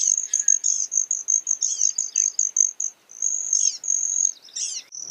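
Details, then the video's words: Broad-tailed hummingbird giving a very high, thin, rapidly pulsed trill, almost insect-like, broken by a few sharp squeaky chips. "Broad Tailed Hummingbird Sound, Bird Call"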